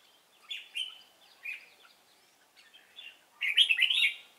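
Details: Trapping session for a 'Cánh ruồi' red-whiskered bulbul with a fine voice, 3 March 2017: a few clear chirped whistles spaced out, then a dense, loud burst of rapid warbling phrases in the final second.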